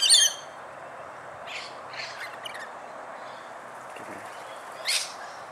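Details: Rainbow lorikeets in Australia feeding, with a loud shrill screech at the start, a few softer raspy chatters in the middle, and another harsh screech near the end against a faint steady background.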